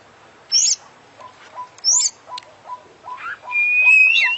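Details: Isian-filled song of a champion oriental magpie-robin. High thin whistles are set against a soft, lower note repeated steadily, ending in a long, pure, level whistle that bends upward.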